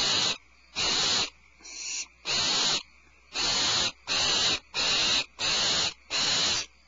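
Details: The Starr Ranch barn owl nest on February 22, 2012, as the mother delivers a supplemental rat. Nine rough, breathy screeches in quick succession, one softer and shorter than the rest, with brief silences between.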